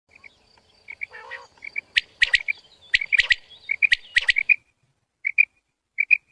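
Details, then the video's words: A quail gives short, high chirping notes in quick bursts, mixed with sharp clicking taps, then a few spaced chirps at the end. "The Sound a Quail Makes"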